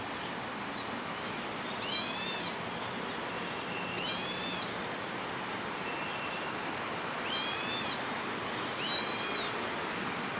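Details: Juvenile Crested Goshawk in Da'an Forest Park, perched high early in the morning of 30 June 2022, calling to beg for food; four loud, harsh, harmonic drawn-out squeals spaced two to three seconds apart over a steady hum of traffic.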